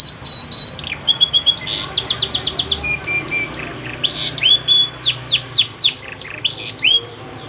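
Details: Yorkshire canary song delivered in full, lively form: a long run of rapid repeated sweeping notes, several times per second, then slower looping whistled phrases, with faint low background hum.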